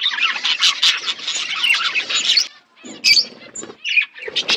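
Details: Budgerigars eating winter food in a flock in Asia; loud continuous chirping chatter, then a brief hush broken by scattered sharp chirps and squeaks.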